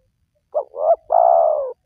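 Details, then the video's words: One spotted dove phrase, used for luring wild doves to call: a short note, a slightly longer rising note, then a long, steady coo that slowly drops in pitch. It stands clear against silence. "Jitu 100% Pemancing Burung Tekukur Yang Malas Bunyi,Langsung Rajin Bunyi"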